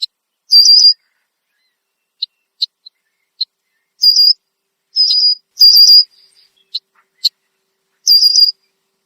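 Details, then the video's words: A Red-winged Blackbird perched in a tree in Southern Ontario, Canada, gives loud alarm calls, possibly upset by a nearby animal. It makes high, thin, buzzy notes mixed with sharp single chips, repeated irregularly every second or so. "Red-winged Blackbird Alarm Call"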